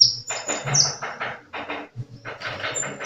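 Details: Sunbird singing energetically: a brief high descending whistle, then a dry rattling chatter of quick buzzy pulses, another high slurred note near the end, over a low steady hum.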